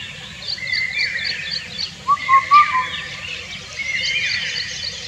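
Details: Indian cuckoo giving a single phrase of four hooting whistled notes, the last slightly lower, against a busy background of high chirping and twittering from other birds.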